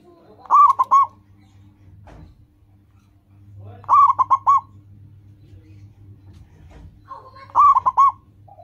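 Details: Local zebra dove with a loud, crisp voice used to train caged birds to sing: three bubbly, rolling cooing phrases about every three and a half seconds over a faint low hum.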